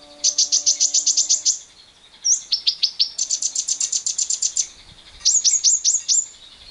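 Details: Lovebird producing extended 'ngekek' chatter to stimulate other lovebirds: three rapid bursts of high, sharp repeated notes, the last made of downward-swept chips, over a faint steady humming tone early on.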